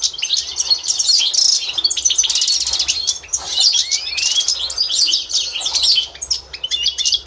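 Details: European goldfinch, authentic Constantine strain, tutoring learner birds, 2024: a steady cascade of bright, buzzy twitters and tinkling trills with a few rising whistled slurs, high and nearly unbroken.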